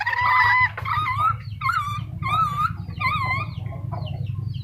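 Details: Black-capped lory uttering a series of harsh, harmonic, wavy calls, about one every second, fading towards the end, with a low background rumble and a few faint chirps.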